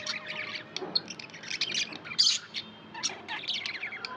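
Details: Chattering pet budgerigars, a busy stream of squawky, warbled chirps and raspy notes with a short pause near the three-second mark before the chatter resumes.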